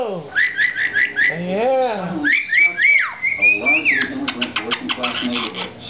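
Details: Lilac-crowned amazon kept as a pet chortles in a quick string of repeated clipped notes, then slides into sustained wavering whistles, followed by more rapid chatter. Owners speak softly in the room.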